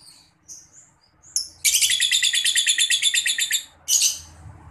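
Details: Lure recording of young lovebirds under five months: a few scattered thin squeaks, then a loud, fast trill of sharp chirps for about two seconds, followed by one more short harsh burst.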